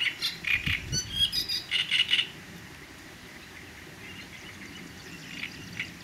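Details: Great reed warbler delivering harsh, croaking, chattering phrases for about two seconds in rapid repeated notes, then falling to a few faint scattered notes over soft low background noise.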